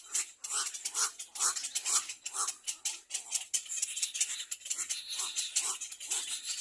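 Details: Little egret chick loudly biting at its mother's bill while begging for food. Harsh, rattling clatters come in rhythmic bursts about twice a second, growing denser and more continuous toward the end.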